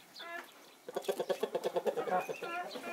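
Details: Chickens of Naked Neck, Marans and Easter Egger breeds in winter sunshine; a brief call, then a rapid, evenly spaced series of about ten short clucks followed by a longer whining note.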